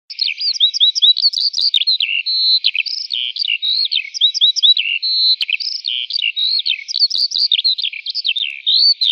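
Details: Lark singing in an open wheat field: a continuous, rapid, high warbling stream of trills, slurred whistles and buzzy notes, with short repeated phrases recurring every couple of seconds and no pauses.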